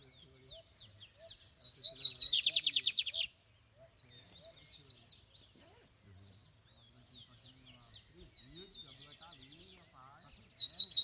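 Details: Lined seedeater singing in the field: a loud, fast buzzy trill of rapidly repeated high notes lasting about a second, amid scattered thin chirps and twitters from other small birds, faint voices, and another short trill at the end.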